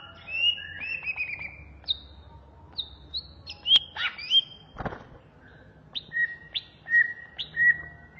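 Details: Greater green leafbird, native to Indonesia, in a recording used to train birds: spaced, clear whistled notes and short slurs, some repeated, with a single sharp click midway.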